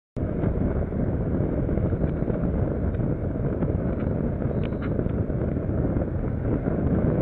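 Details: Loud, rumbling wind buffeting the microphone throughout, with nothing else clearly heard.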